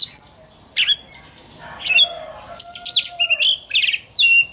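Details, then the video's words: Oriental magpie-robin singing contest song in training: a clear, varied series of sliding whistles, fluty swoops and sharp chips, delivered in short lively phrases. "Choè than hót đấu/Choè than hót luyện giọng căng lửa/Choè than hót"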